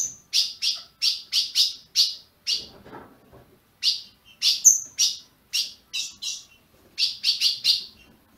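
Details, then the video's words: Captive-bred Ultramarine grosbeak in Brazil, played to warm up a caged bird. Quick bursts of sharp high chirps are broken by a quiet spell with a faint low rustle, then resume in tight groups. "Azulão piando, 30 min. para esquentar seu azulão"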